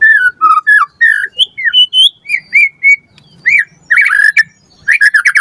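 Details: White-rumped shama singing, played as a lure for training caged birds: sweet slurred whistles, some rising, some falling, then a dense chattering flourish near the end.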